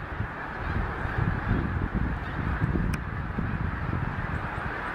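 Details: A huge flock of snow geese suddenly taking flight together after being startled, at Gordon's Pond, Cape Henlopen State Park, Delaware, in late December on a grey, overcast day after rain; a dense, continuous roar of overlapping nasal honks and wingbeats, with no single call standing out.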